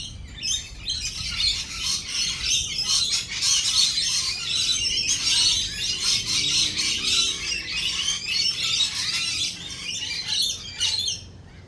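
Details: A flock of lorikeets in rolling thunder and lightning keeps up a loud, continuous chatter of overlapping high screeches and squawks with almost no pause.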